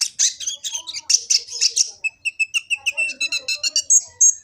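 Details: Sunbird known locally as kolibri ninja, from Gresik, East Java, recorded on an Android phone and used as a master song for training birds: rapid high chirps and bright twittering, then a steady run of short repeated sharp notes.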